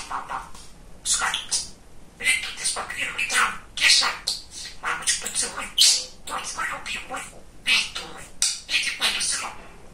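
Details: A male pet budgerigar, described as very chatty and funny, talks in rapid, buzzy, high-pitched syllable bursts strung into long runs of mimicked speech.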